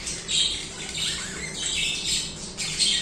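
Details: Budgerigar chirping and singing, a soft, continuous, hissy warble with a few clearer squeaky notes near the start and end, over a low hum.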